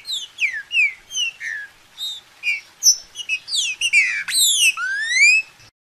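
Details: Green-winged saltator song played to warm up and get another bird singing: a rapid string of clear whistled notes, mostly sharply downslurred, speeding into quick rising and falling slurs near the end, then a final longer whistle.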